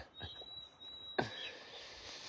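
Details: White-throated sparrow singing on a fine sunny day with a light breeze at Lac-Beauport, just north of Quebec City: one long, pure, steady high whistle held about a second, then a short high note after a sharp knock.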